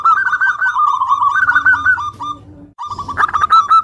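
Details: ['Busy zebra dove song from a local bird, used as a lure: dense overlapping runs of rapid coos, almost continuous, a brief pause, then loud, higher staccato notes resume.']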